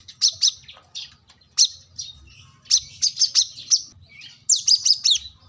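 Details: Plain-throated sunbird looking for a rival: scattered high, squeaky chirps in small clusters, ending in a bunched run of sharp descending notes, with faint low rumble beneath.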